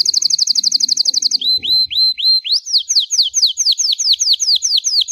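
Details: Belgian canary in continuous bell-style song, used to warm up and train young birds: a rapid rattling trill gives way to a few rising upslurs, then a steady series of clear, downward-sweeping whistles.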